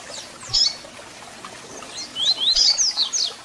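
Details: Song of a double-collared seedeater with call notes, meant to excite a caged bird: a thin high chip, a short pause, then a quick run of sweeping whistled notes, clear and high-pitched.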